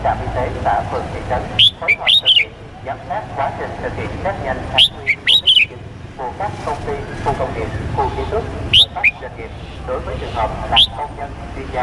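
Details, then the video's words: Male red-whiskered bulbul of Cambodian stock calling to a female as a decoy: short groups of crisp whistled notes, rising then sliding down, repeated at irregular intervals of a few seconds amid ongoing low background chatter. "CHÀO MÀO TRỐNG GỌI MÁI TIẾNG CHIM CHÀO MÀO CAMPUCHIA MỒI GỌI BỔI"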